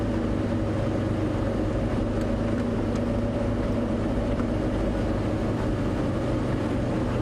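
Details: Steady low engine drone of a vehicle idling, with no animal sounds. The rumble stays even throughout, with a faint hum and no calls above it.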